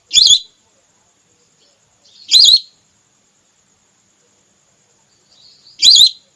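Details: Female whistling duck call played as a hunting lure with a net, aimed at red or plain whistling ducks: three brief, twisting whistles at uneven gaps of two to three and a half seconds, otherwise quiet.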